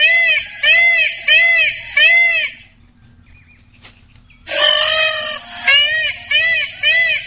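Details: Indian peafowl (Pavo cristatus) giving loud, nasal, wailing calls in quick bursts, a pause, then another run of strident cries; faint low hum underneath.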